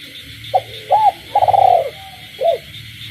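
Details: Spotted dove in a cage cooing at night, frogs calling around the rural home: short note, arched coo, long throbbing falling coo, closing arched coo; high continuous frog and insect hum with low rumble.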